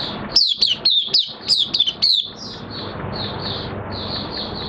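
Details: Oriental white-eye in minor moult, recorded 3 June 2022, singing openly: a run of bright, high, downslurred chirps in quick succession, then softer, steady twittering notes with a faint background hum.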